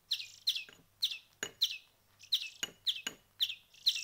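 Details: Hand-fed songbird chicks, a week into hand-rearing, repeat sharp downward-slurred chirps about every half second. Faint clicks and a low hum sound behind them.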